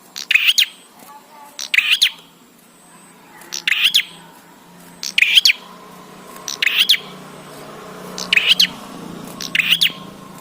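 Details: Bar-winged prinia song, played to get prinias singing quickly: seven sharp bursts of clicking, buzzy chirps come roughly every one and a half seconds, each ticking note ending in a rasping flourish, over a faint low hum.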